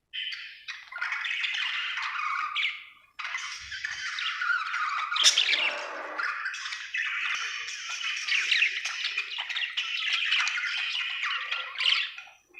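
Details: Happy budgie chirping in a long, dense, scratchy warble with squeaky whistles and harsh notes, broken by a brief pause early on.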